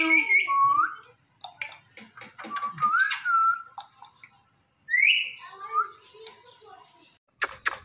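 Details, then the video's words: Talking Indian ringneck parrot giving whistled, speech-like phrases: a rising slurred whistle, a string of clipped chattering syllables, then another upward-sweeping note followed by softer mumbling and a sharp click at the end. "Funny Indian Ringneck Parrot Talking Compilation"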